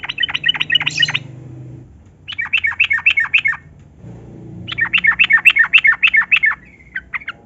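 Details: Yellow-vented bulbul, known locally as trucukan, singing a long, lively song played as a lure to make lazy bulbuls sing; three bursts of rapid, bubbly, chattering notes separated by short pauses, with a faint low hum behind.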